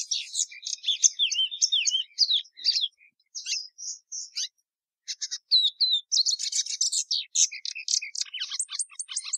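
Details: Patativa verdadeira (plumbeous seedeater) singing varied high twitters and whistles, pausing mid-way, then bursting into a dense, rapid stretch of sharp chirps.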